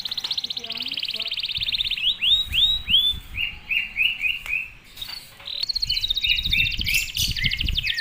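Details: Canary used as a master singer to train young canaries to sing, delivering a loud, fast run of high trills and repeated swooping whistled notes, with buzzy rolls and short rattles.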